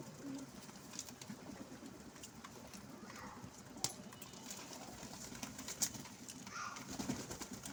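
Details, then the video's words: Pigeons at a window give soft, low, throaty coos at intervals over a steady hiss of outdoor noise, with a few sharp clicks and taps. "pigeons with natural sound"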